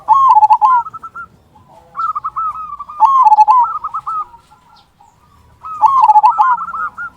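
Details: Zebra dove of local stock singing its strong "kung" song, used to provoke other doves into song; three loud trilled coo phrases, each about a second long, separated by fainter staccato cooing.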